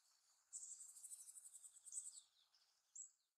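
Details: Japanese tits singing and hopping about in Sakura-no-yama park near Narita airport, Japan; a rapid run of about sixteen high, thin, evenly spaced notes lasting under two seconds, then one short separate high note.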